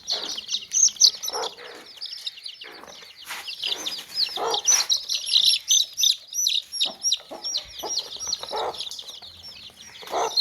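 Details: A basket of baby chicks keeps up a steady stream of thin, bright, falling chirps, and chickens add brief low clucks now and then, some in a loose run near the middle.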